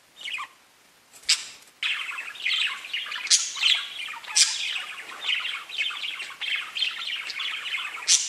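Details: Pet budgies chirping: continuous loud, scratchy, high chattering and warbling with sharp squawk-like accents, after a short quiet gap near the start.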